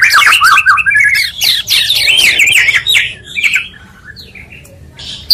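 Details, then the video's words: Oriental magpie-robin singing in a combined two-bird recording used to provoke other magpie-robins: dense warbled whistles and scratchy notes for three seconds, then softer fading phrases. "pancingan murai 2 kali lebih menaikkan emosi muarai."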